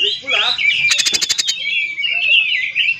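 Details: Song of an oriental magpie-robin, used to provoke others of its kind to sing. A quick rising note leads into a buzzy rattle of seven or eight clicks, then a long varied warble.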